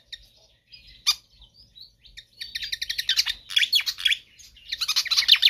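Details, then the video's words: Pied fantail singing energetically and persistently, recorded for tutoring or luring other birds: a few separate squeaky notes, then a loud, dense run of sharp high chirps and quick downward sweeps, rising again to a busy chatter at the end. "Sikatan Kipas GACOR Ngotot"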